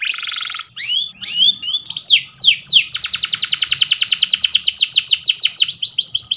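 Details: Strong canary song for training: a brief buzzy trill, assorted chirps and slurred whistles, then a long fast rattling trill lasting several seconds.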